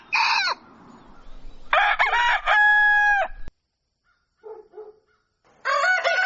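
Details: Rooster crowing at dawn: a short opening call, then a full crow of choppy notes leading into a sustained harmonic tone, soft clucks after it and the start of another crow at the end.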